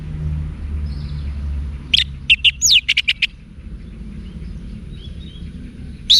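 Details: Orange-headed thrush song used to train cage birds, northern Bali: a quick burst of about eight sharp chirps and a downward slur, then quiet with faint distant whistles.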